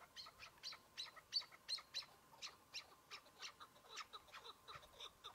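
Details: Chukar partridge calling during a spring hunt on patchy snow, a single bird: series of short sharp chuck notes repeated about three times a second, fairly high and clipped, with faint background hiss.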